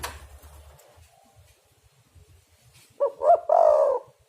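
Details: A spotted dove lure recording for catching doves: after a quiet opening with faint low rumbling, a loud phrase of two brief rising coos and a long hoarse, falling coo.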